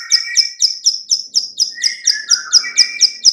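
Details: Female bar-winged prinia clicking call, used to lure birds: steady high sharp clicks about twice per second, with a lower drawn-out chirping voice running underneath.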